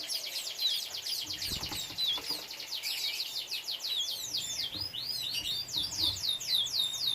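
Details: Caged canary bred at home alongside chicks, singing a dense, fast stream of high trills and rolling twittered phrases that shift in pitch without pause, with occasional faint knocks in the background.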